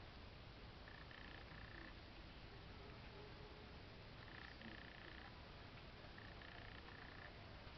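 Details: Sri Lanka grey hornbill, endemic to Sri Lanka, giving level, even-toned notes in three clusters of about three linked notes each, spaced roughly every two to three seconds, faint against steady broadband hiss.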